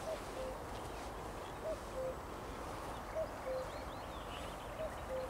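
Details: Cuckoo recorded 12.05.2021 giving four clear falling two-note cu-coo calls, evenly spaced roughly every one and a half seconds, over a quiet background hiss with faint distant birdsong.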